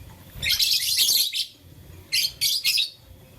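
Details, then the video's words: Loud, harsh, high chirping from a lovebird in blue, lutino and green shades as it plays with a flower: one long rasping burst, then three shorter shrill bursts in quick succession. "Blue Lutino Green LoveBird Playing Flower - Chirping Sound"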